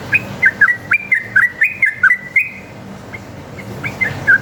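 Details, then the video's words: Wild sooty-headed bulbul in a rapid, long fighting song, used as a lure to make caged bulbuls answer: quick runs of short whistled notes, rising and falling, about two per second, then softer scattered notes over a steady background hum. "PANCINGAN trucuk gacor ngalas tarung ropel ini paling ampuh buat masteran trucuk agar nyaut bunyi"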